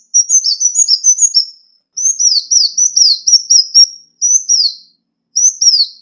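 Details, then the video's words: A ruby-cheeked sunbird lure song: bursts of very high, thin, down-slurred chips and twitters, several notes per burst with short pauses between; nothing else is heard. "Tiếng chim Xanh tím mồi"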